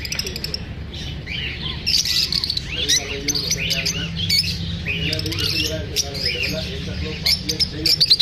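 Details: Lovebirds kept as pets, unsettled by being filmed, give bursts of shrill chirps and harsher squawk-like notes in uneven clusters, with a low, voice-like murmur underneath through the middle and a steady background hum.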